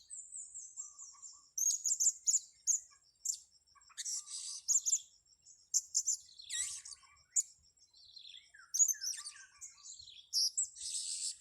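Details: Blue-crowned hanging parrot being lured on grass, giving a long sequence of shrill, very high chirps and buzzy chatters in irregular bursts, some notes sliding downward, over a continuous high whine.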